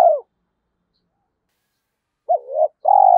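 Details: Decoy spotted dove calling to provoke fighting, trained daily; the tail of one coo, a pause, then a quick hooked note and a long, even, rolling low coo.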